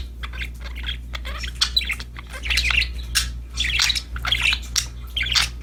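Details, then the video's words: Happy, playful budgerigars singing and chirping: continuous scratchy warble with rapid squawky bursts and short chirps, several birds overlapping, over a low steady hum. "Happy Parakeets Chirping Sound #budgies Singing, Playing"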